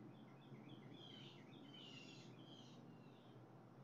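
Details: Blue jays on July 7, 2020, giving short, scratchy, buzzy calls that build into a denser harsh burst in the middle, with soft chirps and constant low background hum.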